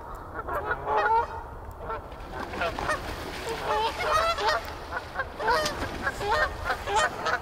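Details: A chaotic flock of Canada geese at Canoe Meadows on 1 March 2024, with loud, overlapping nasal honks from several birds at once and a low rumble of background noise.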